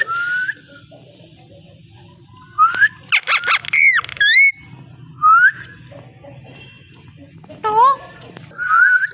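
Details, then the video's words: Parrot voice: scattered short rising whistles between pauses, a dense cluster of loud harmonic squawks and sweeping notes near the middle, and a wavering descending call later on. "amazing parrot talking and voice"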